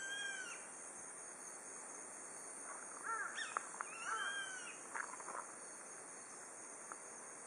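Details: Grey-faced buzzard giving a few thin, arched whistles, rising then falling, its first calls heard this autumn, at dusk at a mountain pass above Nishiamuro, Kakeroma Island, Amami Ōshima, Japan, over a steady high insect shimmer and faint chirps.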